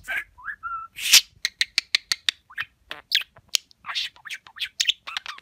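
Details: Pet budgerigar talking, with quick clicking ticks, squeaky whistled notes and harsh buzzy syllables run together in fast mimicked chatter.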